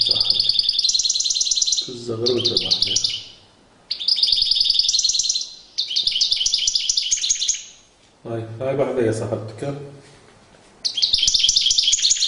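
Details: Courting European goldfinch delivering fast, liquid twittering song in repeated bursts of about two seconds, interspersed with lower chattering and clicking noises.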